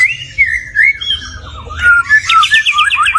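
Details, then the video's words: A stone magpie whistles a few clear sliding notes, then a fast repeated trill of rising chirps, with a low background hum. "Stone Magpie Bird - Beautiful Bird Song"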